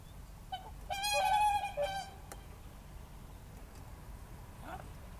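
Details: Whooper swan in Estonia's Tartu county, 13 April 2013, Roland R-05 recorder: a single short pair of nasal trumpeting honks, then only faint background hiss with a soft distant note.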